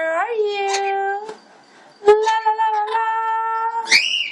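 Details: Pet female blue-fronted amazon parrot, a singing and talking bird, indoors; sustained sung tones rich in harmonics, a short rising note leading into a held pitch, a brief pause, then a second long steady note ending in a sharp upward squeak.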